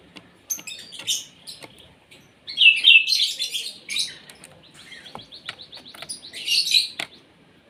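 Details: During a morning feeding meant to make it sing freely, an Asian pied starling gives scattered clicks, then loud grating chatter bursts interwoven with thin steady whistled tones, with quiet gaps between phrases.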